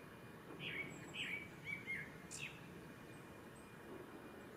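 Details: Male Japanese thrush singing at Ohora spring, Lake Yamanaka, Japan, on 3 May 2017. A few short, quiet whistled and warbled notes come over about two seconds, then a pause. Steady low rumble underneath.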